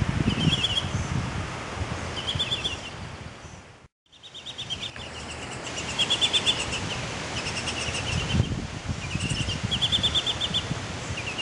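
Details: Short bursts of high, clipped chirps from young Baltimore orioles just out of the nest in a front yard, repeated in quick runs every second or two, over steady low wind rumble and a brief cut of silence.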